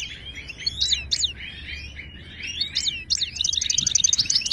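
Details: Goldfinch of the Moroccan Ouidani style, singing to teach caged birds: spaced sharp chirps and slurred twitters, then a fast rippling trill of repeated notes to the end.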